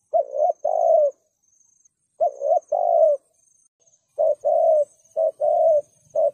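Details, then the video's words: Spotted dove cooing thúc gù to lure wild doves into traps: paired soft coos, first spaced out, then hurried into a quicker run of short and long notes near the end. "Cu gáy Thúc gù Giọng cực Dùng bẫy cu gáy hiệu quả/cu rừng nghe là lao tới"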